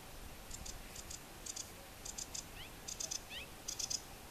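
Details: Sedge warbler recorded south of Västerås airport in Sweden, giving spaced pairs of high clicking notes broken by quick downward-slurred whistles, the phrases separated by short gaps.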